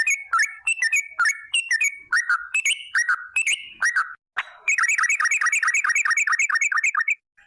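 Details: Yellow-vented bulbul (trucuk) gacor song in a long rolling 'ropel' style, used as a lure to get bulbuls singing: fast chattering phrases of warbled, dropping notes, then a rapid even run of repeated notes near the end.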